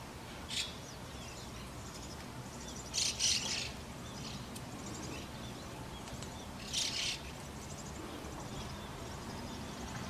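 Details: White-cheeked starling parents at the nest with chicks: three rough, buzzy, high bursts, one short and two longer, spaced several seconds apart amid faint steady noise.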